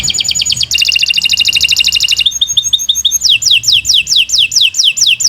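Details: Canary in long song used as a master recording: a fast two-pitched trill, a run of short repeated chips, then evenly spaced downward-sweeping whistles about three per second.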